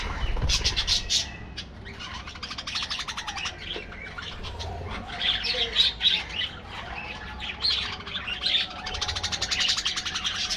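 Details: Budgerigar colony in an aviary: rapid, rattling chirp series and warbled twitters from several birds, rising and falling in loud bursts, with occasional wing flapping.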